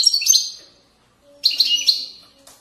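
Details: European goldfinch, Moroccan widani style from valley banks: two short bursts of high, bright twittering with quick trilled notes and a silent gap between them.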